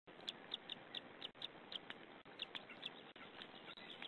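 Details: White-tailed eagle at a nest on camera, 2 May, as an adult feeds the chicks leftover fish: short high chirps repeated in quick irregular series over a steady hiss of background noise.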